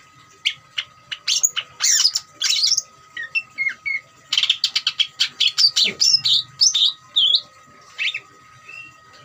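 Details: Greater green leafbird (cucak ijo) giving a rattling, trilled song used to provoke other birds to sing: rapid, varied high chirps, ticks and short whistles in dense bursts, with a faint steady tone beneath.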